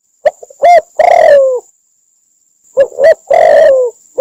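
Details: Cambodian spotted dove decoy call used to lure doves into traps: two phrases of short clipped coos leading into a long, slightly falling, harsh coo, with a thin constant high-pitched tone behind.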